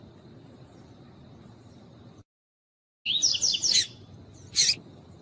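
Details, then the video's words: Female double-collared seedeater calling to excite a cold male during pairing; after a silent gap, a fast sequence of high chirping notes lasting under a second, followed by one loud clicking burst. "COLEIRO TUÍ-TUÍ COM FÊMEA CHAMANDO PARA ESQUENTAR COLEIRO TUI TUI"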